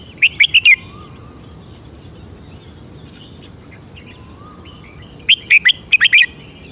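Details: Red-whiskered bulbul delivering its characteristic song phrases. A burst of four or five loud, chirpy whistles opens the recording and a similar phrase returns about five seconds later. Faint distant bird calls come in between.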